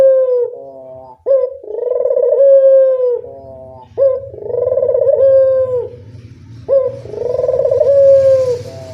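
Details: Local spotted dove used as a lure call: loud, low, mellow cooing phrases. Each starts with a short note, then swells into a long vibrating coo. The phrases come about every two to three seconds, with a faint background hum.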